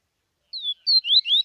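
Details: Tuíca-style song of a Bahia seedeater from Bahia, Brazil: a long falling whistle, then a level note and two rising slurs, cut off at a high final note, no other sounds.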